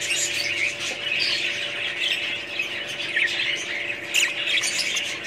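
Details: A group of budgerigars giving a constant mix of high scratchy squawks, chirps and warbles, many birds calling at once with short sharper squeals standing out toward the end; no other sounds noticeable.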